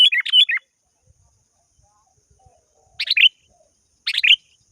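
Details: Sooty-headed bulbul calling to a rival: a quick warbled chirping phrase, a pause with faint low knocks, then two more short bubbly phrases.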